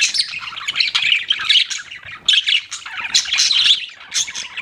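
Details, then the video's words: Pet budgies twitter and squawk in a thick, bright chorus of short grating notes, pulsing louder and softer without a break. "BUDGIES CHIRPING SOUND"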